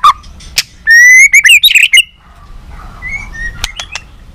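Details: White-rumped shama trained for competitive many-voiced song with tail flicking; a long steady whistle leading into quick slurred notes, then faint scattered notes and sharp clicks.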